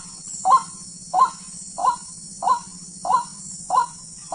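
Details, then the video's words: A wild white-breasted waterhen, hunted as ruak-ruak, gives harsh, nasal croaking notes repeated at a slightly uneven pace, seven calls in just over four seconds, against a continuous high-pitched hiss and low hum. "burung ruak-ruak liar"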